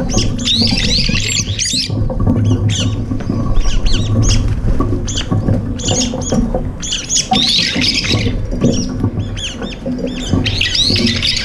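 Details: Up to five brown-eared bulbuls eating together, the shared meal turning into a fight as two take off; repeated bursts of loud, rasping squeals and chattering notes over low background noise.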